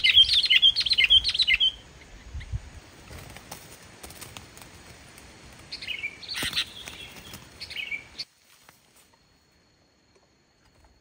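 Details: Sooty-headed bulbul singing as a lure for reluctant bulbuls: a quick run of liquid whistled notes, a noisy gap with rustling, then a second bubbly phrase before silence.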